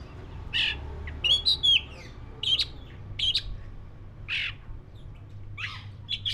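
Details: Black-breasted white-rumped shama (kacer dada hitam) singing: scattered sharp whistles and buzzy rasping notes between 2 and 8k, in short bursts with pauses, over a low steady hum.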